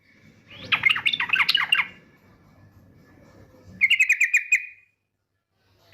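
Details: Female yellow-vented bulbul giving a lure call used to provoke other birds to sing: a bubbly, warbled burst of notes, then after a pause a fast, even chattering trill lasting about a second, with a faint low hum behind.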